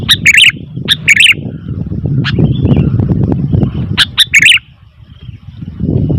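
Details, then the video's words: Sooty-headed bulbul calling noisily: short bursts of bright, bubbly chirps in quick pairs and triplets, with gaps between bursts, over a steady low rumbling background noise. "Suara Burung Kutilang ribut"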